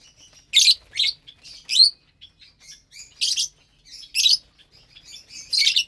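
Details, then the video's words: Captive lovebirds feeding together on a Saturday morning, eating vegetables and seed mix; sharp, high, harsh chirps in short bursts roughly every second, with softer twittering between. "Lovebirds Meal Time"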